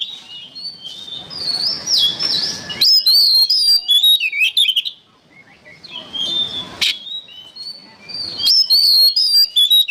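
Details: Oriental magpie-robin in a training recording for songbirds delivers long runs of varied whistles, buzzy slurs and sharp clicks, loud and high, with a brief lull midway before the song resumes.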